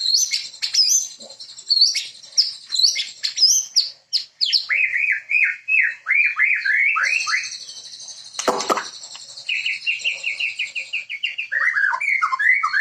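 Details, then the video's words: White-rumped shama (murai) in full song: rapid chattering phrases, then a run of repeated downslurred whistles, a dense buzzy trill with a loud click, and further fast repeated slurred notes. "Sound Of Murai Bird"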